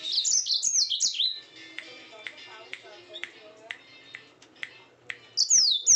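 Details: Yellow-fronted canary singing at night: a burst of high, fast slurred whistles and trills, then a long pause with scattered faint clicks and chips, then another brief high downslurred phrase at the end.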